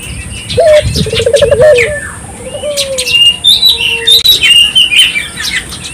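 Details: Turtle dove singing prolifically, a recording meant to stir local doves into calling: a short low coo followed by a fast rolling trill and a drawn-out falling coo, with busy high chirping from other birds throughout.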